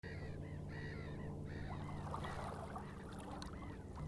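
Common eider giving harsh, nasal, goose-like calls in quick repeated bursts, over a steady low engine drone.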